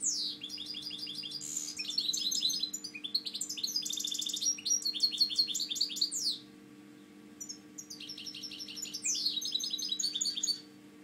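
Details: A caged European goldfinch, used for breeding, delivers long bursts of fast, liquid twittering mixed with buzzy trills and falling slurs, broken by short pauses, over a constant low hum.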